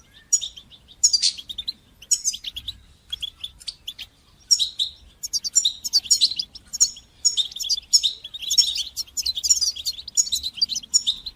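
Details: Motivational European goldfinch song in bitbita and sitsita style, meant to encourage young goldfinches to sing: a long, lively run of high, jingling twitters and trills, growing denser toward the end.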